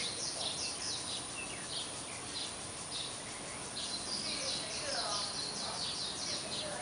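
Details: Six-day-old warbling white-eye chicks of a third brood at the nest, around 9 AM on 5 July, as a parent returns to feed them: thin, high chips in quick irregular bursts, about one or two a second, over steady hiss.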